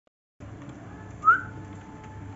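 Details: Cockatiel (Nymphicus hollandicus) gives one short, clear rising whistle over a low indoor hum.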